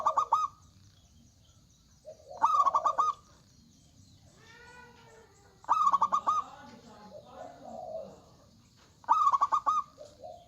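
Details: Local zebra dove (perkutut) lure song, described as loud and active, with males and females answering each other. Fast stuttering coo bursts repeat about every three seconds, with softer trailing coos and faint lower calls between.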